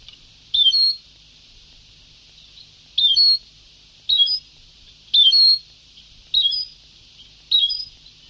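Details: Old recording of a European goldfinch in the Sebtaoui song style: crisp, high, chattering motifs repeated at uneven intervals of one to two seconds, with a steady hiss behind them.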